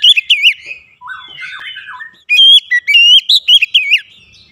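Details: Kacer (Oriental magpie-robin) singing varied fill-in phrases meant to heat up other birds: a fast whistled burst, a softer twittering stretch, then a loud chain of sharp rising and falling notes.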